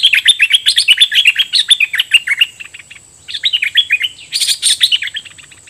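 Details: Decoy bulbul in loud, lively song toward wild birds, a fast, almost nonstop stream of bubbling whistled notes in quick repeated phrases, with a steady high hiss behind.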